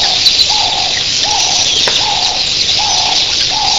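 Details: Red-billed queleas by the thousand make a hiss of massed high chirping in the early morning, with a soft, low coo repeating roughly every 0.7 seconds beneath the din.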